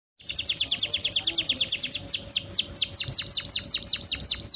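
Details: Canary described as a female in breeding condition, calling to provoke males into singing: a fast series of sharp, downward-sweeping whistled notes, about two per second, over steady low background noise.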